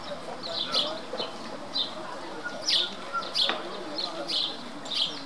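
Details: House sparrow at the lakeside promenade in Starnberg, Germany, giving bright, unmusical chirps, about eight in five seconds at an uneven pace, over a low background murmur.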